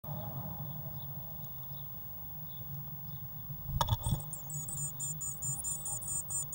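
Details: Eurasian blue tit chicks in a nest box on 1 June 2016, growing fast: after a knock and rustling, a rapid series of thin, very high chirps starts and continues in quick bursts over low background hum.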